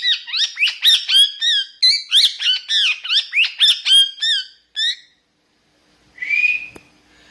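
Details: Parrot kept as a talking pet rattles off a quick string of roughly fifteen high, looping whistled chirps, pauses, then gives one softer drawn-out rising note.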